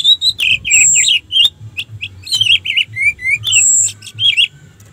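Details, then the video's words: Orange-headed thrush song used as a lure to stir other orange-headed thrushes to sing: a dense run of rich, warbled and slurred phrases, with twisting notes mixed with thin high sustained whistles. The singing is almost continuous. "suara Anis merah untuk pancingan"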